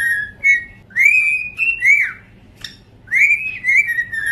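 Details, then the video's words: Two cockatiels whistling a duet inside a room: bright level whistles with harmonics, a long upswept note held then dropping, a quick click, and a final falling phrase after a short silence. "Cockatiel duet"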